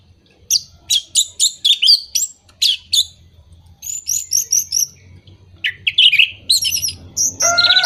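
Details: Orange-headed thrush lure song meant to rouse moulting, silent or non-breeding birds: rapid bursts of sharp, high chattering notes in quick series, pausing briefly, then twisting whistles and a harsher rattling ending.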